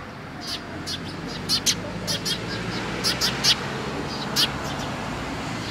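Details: A flock of sparrows crowding at food at a Tenmangu shrine, 10 October 2017, giving bright, brief chirps in loose clusters, often two or three close together, over constant low rumbling background noise.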